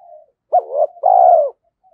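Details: Single cooing phrase from a decoy spotted dove: a brief double note, then a sustained, mellow, low coo that falls slightly at its close, framed by faint soft notes.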